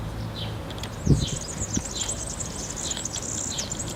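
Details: European serin singing in a town square in Zamudio, Txorierri, Bizkaia, Spain, on 7 May 2018: a high, thin, jingling buzzy trill running on for seconds, over steady low town rumble and a brief thump.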